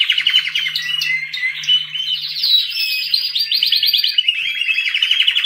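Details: Canary singing a continuous, high trilled song of rapid rolling and buzzy phrases, shifting in pitch with fast warbled trills, with a faint low hum in the background.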